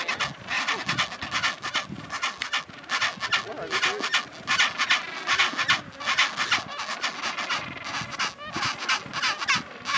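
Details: Chinstrap penguins braying like donkeys in a colony at Orne Harbour, Antarctica, January 2023: dense overlapping harsh, buzzy pulsed calls from many birds, rising and falling in bursts, with a person's voice nearby.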